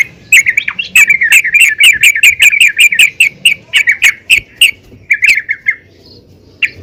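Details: Female yellow-vented bulbul calling to the male, played to encourage bulbuls to sing: rapid runs of harsh, chattering notes repeated almost twice a second, broken by short pauses, then a final few scattered notes.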